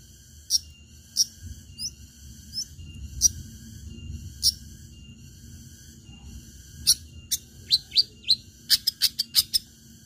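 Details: Long-tailed shrike singing 'tarung tajam' style to provoke other shrikes into song: spaced high, sharp notes and short flicked whistles, then a fast burst of rapid clipped notes near the end, over faint low background rumble.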